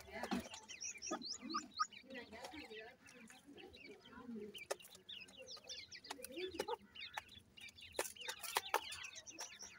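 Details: Feeding francolin chicks giving a busy chorus of high, squeaky rising-and-falling peeps in bursts, with low soft clucking notes and occasional sharp knocks between them.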